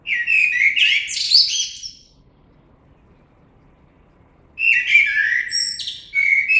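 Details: Common blackbird singing two separate phrases about three seconds apart, each made of warbled fluting whistles topped by high scratchy twittering, with silence between them.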